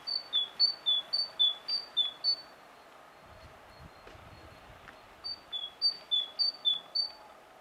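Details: Great tit singing, filmed on a Sony HDR-PJ10 camera: clear two-note whistled phrases, a high note then a lower one, repeated quickly in a run, a brief pause, then another run of the same see-saw pattern.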